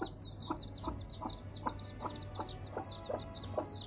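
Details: Hen and freshly hatched chicks feeding on rice: continuous shrill chick peeping in fast overlapping runs, regular low clucks roughly twice a second, with music throughout.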